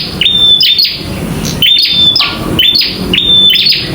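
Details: Loud fighting song of a local bar-winged prinia: piercing level whistles joined to quick flicked notes, about three phrases in four seconds, with some background hiss.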